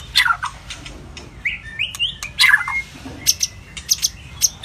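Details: White-rumped shama singing to stimulate other shamas: sparse phrases with a sharp descending call, a short run of rising whistles, and several isolated high clicky notes spread across the recording.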